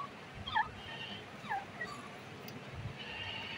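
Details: Grey francolin in breeding season uttering three quick swept whistles in the first two seconds, each a short bright note bending in pitch, then quieter hiss.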